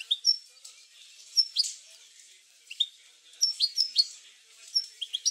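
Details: European goldfinch recorded as a stimulus to get other goldfinches singing; sparse, bright high chirps and short twittering notes come in small bursts about once a second, separated by quiet gaps, with faint background hiss.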